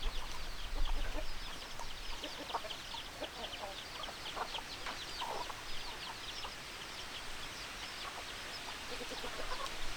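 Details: Chickens clucking: a busy stream of short, sharp clucks at about three per second, overlapping and uneven, over a steady hiss of background noise.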